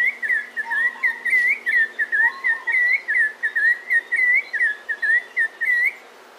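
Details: A bird in a zoo gives a rapid run of clear, whistled notes, about three per second, with a few lower warbling calls and faint chirps behind.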